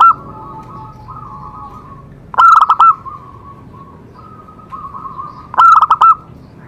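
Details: Singing zebra dove, whose song stimulates other doves to sing. Quiet, level cooing phrases are broken by two loud bursts of rapid, clipped notes, roughly three seconds apart.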